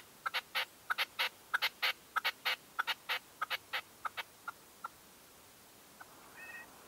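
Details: Red-legged partridge kept as a hunting decoy, heard at dawn in 2023: a fast run of clipped, chattering notes in pairs that slows and fades after five seconds, followed by a brief faint whistled sound.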